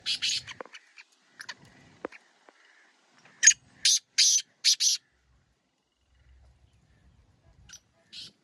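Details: Black francolin (kala teetar) giving a short burst of four or five loud, harsh, hissing rasping notes in quick succession, with softer scratchy notes before and after in a quiet setting.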